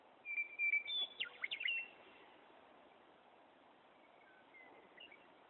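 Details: Wyoming Meadowlark singing loudly in a tree: a sweet whistled opening note followed by a rapid, tumbling series of flute-like slurred notes, with a fainter song phrase later against quiet open-country background.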